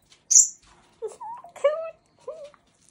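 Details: A red-shouldered (Hahn's) mini macaw gives one sharp, high squeak, then a run of short, nasal, speech-like notes that rise and fall over about two seconds.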